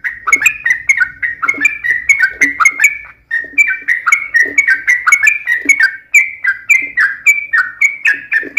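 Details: Sooty-headed bulbul singing a long rapid fighting-style song: continuous chain of short, slurred, bubbly whistled phrases, each dipping and rising, repeated several times a second with hardly a pause.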